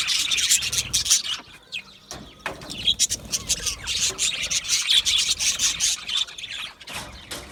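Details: Budgerigars, Australian budgie parakeets, in dense, continuous high chirping and warbling chatter, many overlapping short tweets and squeaky notes with brief pauses, a flock sound with no other clear noises.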